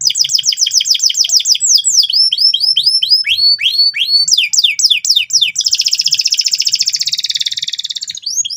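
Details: Canary in loud, persistent gacor song, meant to help young canaries learn the ngeriwik trill: fast runs of high, downward-sweeping notes, then slower curved whistles, ending in a dense buzzy trill held for about three seconds.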